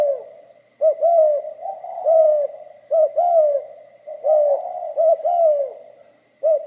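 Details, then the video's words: Cooing song of a spotted dove, 'giọng pha kim' style: a short stuttered pair of low notes leading into a drawn, downward-sliding coo, phrase after phrase with brief pauses, over a thin constant high-pitched hum. "Tiếng chim cu gáy giọng pha kim"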